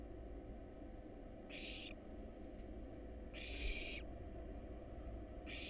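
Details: Hungry wild barn owl nestlings being fed rat and rabbit in a monitored nest box make three raspy hissing screeches, the middle one longest, over a continuous low hum.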